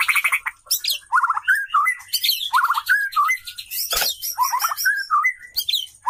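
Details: Female white-rumped shama calling to attract a male: rapid varied whistles and trills, some buzzy rattled notes, with fluty slurs repeated in bursts and one sharp click midway.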